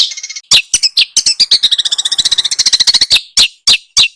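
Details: High song of small birds used to make a white-rumped shama sing: a short buzzy note, loud sharp chips, then a long rapid rattling trill, ending in a few widely spaced calls.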